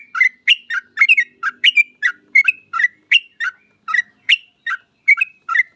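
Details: Bold, bubbly song of a yellow-vented bulbul used as a lure to get other bulbuls singing. Short liquid, gurgling phrases come in a steady, fast stream, about three notes per second, with no other sounds.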